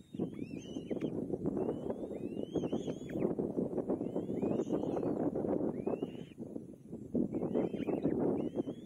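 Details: Young kite fed by its mother, straining to swallow the final meal: bursts of high, wavering whistled notes in loose clusters, set against continuous low scuffling and rustling.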